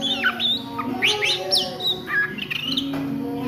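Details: Midday ngriwik song of an Oriental magpie-robin: clear whistled notes sliding up and down, quick descending sweeps and short twitters, over a constant low drone.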